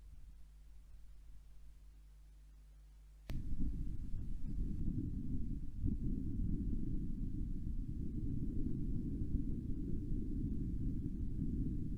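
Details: Only deep wind rumble buffeting the microphone, after a few seconds of low steady hum, with no animal calls.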